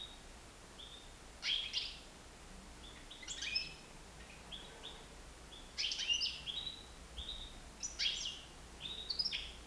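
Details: Nine-month-old European goldfinch flying free indoors in a living room sings bright, tinkling twitters in short bursts every two seconds or so, with a few buzzy notes, over a quiet background.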